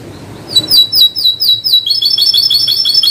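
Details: Canary song: a run of loud, high, repeated downslurred notes gives way to a fast, tight trill, with faint low background noise.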